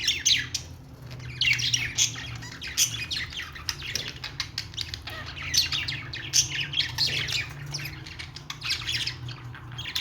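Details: Budgerigar chattering song: a steady stream of harsh clicks, squeaks and short warbled phrases throughout, with a faint low hum behind.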